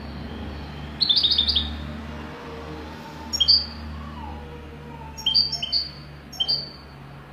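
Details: European goldfinch in Wydani song style: a quick rippling trill, then several short, sharp high chirp pairs at irregular intervals, with a low droning hum underneath.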